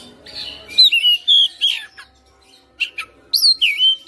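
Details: Fighting-style white-rumped shama in a cage delivering a lively song of sweet looping whistles, sharp clicks and scratchy buzzes, phrases clustered in bursts separated by a short quiet gap.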